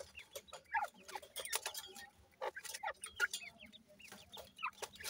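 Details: Grey partridge (teetar) chicks at play give short, high chirps and peeps scattered across the clip, some rising and some falling, mixed with soft clicks and rustling.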